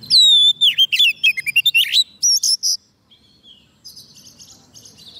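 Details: Oriental magpie-robin singing to call wild birds, a soft-food-fed bird that sings readily: loud falling whistle, then rapid chirps and trills, followed by softer, more distant twittering.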